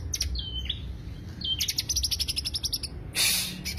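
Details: Greater green leafbird lure song: a few flat whistled notes, then a quick run of sharp high chirps, ending in a brief harsh hissing burst, over low hum.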